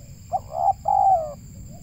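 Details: Spotted dove, local Indonesian bird, recorded when trapping. One phrase: a short clipped note, then two smooth, slightly falling coos, the second longest, over a steady faint high whine.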